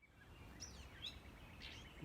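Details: A Gray Catbird at Shawnee Prairie Preserve on a late-April morning gives a nasal, downslurred mew like a cat's meow, with a few thin, high chirps around it over low outdoor rumble.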